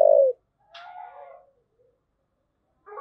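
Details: Spotted dove thúc gù: a long low coo note ends. A fainter, broader call with higher overtones follows, then a pause before another note begins.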